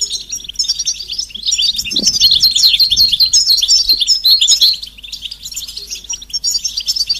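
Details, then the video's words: European goldfinch mating and readiness calls meant to make a silent male sing: continuous dense high twittering and fine trills, with a couple of dull low knocks in the background. "بتبتة فعالة و ستستة فتاكة رهيبة في علاج صمت الحسون"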